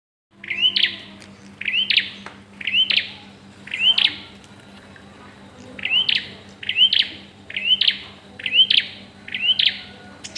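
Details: Bar-winged prinia during the pairing stage, giving a bright rising whistled note that ends in a sharp buzzy burst. The note repeats about once a second, nine times, over a faint low steady hum.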